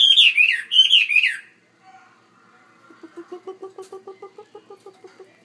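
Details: Caged Chinese hwamei in a bigger cage singing: loud, rich whistled phrases that dip and rise, repeated twice, then a quieter run of rapid, evenly spaced low pulsed notes.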